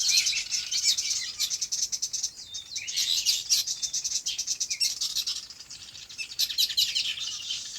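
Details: A chorus of birds chirping in their farm habitat, a steady stream of short, high, overlapping tweets and trills, rising and falling in loudness throughout.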